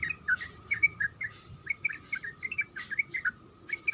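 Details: Sooty-headed bulbul female calling a male, softer and more distant: scattered, sweet chirps in small clusters, with soft rustling bursts and a faint steady whine.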